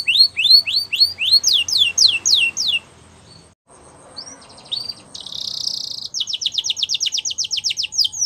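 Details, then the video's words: Belgian canary song meant for training young canaries: quick series of repeated rising whistled sweeps, a short pause, then a buzzy trill and another fast run of sharp repeated high notes, roughly four per second. "Belgian Canary Singing For Training"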